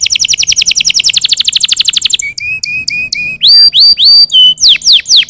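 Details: Canaries singing to encourage other birds to sing: a rapid, even trill of downward sweeps, then four flat whistled notes, loud rising slurs and a final burst of falling chirps.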